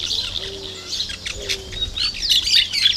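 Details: Plain parakeet (Brotogeris tirica) recorded 2 December 2012: shrill, scratchy chattering notes, several overlapping at a rapid, uneven pace, with high squeaky whistles mixed in.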